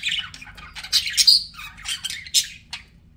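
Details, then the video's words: Chirping pet budgies: squeaky, buzzy warble with a brief thin whistled note, then spaced sharp chirps fading out, over a soft hum. "BUDGIE SOUNDS"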